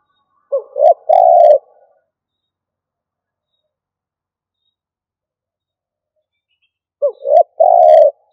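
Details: Two stuttering coo phrases from a decoy spotted dove, about six seconds apart: each a clipped note, a rising slur and a long low coo, with silence between.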